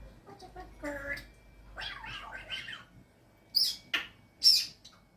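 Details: A pet African grey parrot, kept indoors and known for mimicking phones, barks and burps, gives soft mutterings followed by three sharp, piercing squawks in quick succession near the end.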